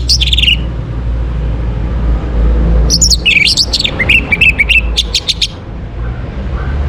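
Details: Orange-headed thrush in the morning, a bird-keeper's lure recording meant to bring birds into breeding condition: a brief whistled opening phrase, a pause, then a run of varied whistled notes rising and falling, over steady low hum.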